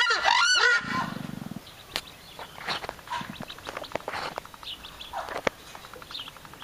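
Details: Captive-bred southern screamer (Chauna torquata) in Belgium, raised via artificial insemination, giving a loud, harsh trumpeting honk, then a low buzzy rattle and softer scattered calls, with other birds faint behind.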